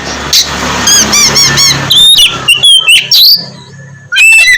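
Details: Oriental magpie-robin song, meant to spur lazy birds into singing in the morning: four quick repeated warbled notes over steady background hum, then clear whistles and slurs, ending in a high rapid burst.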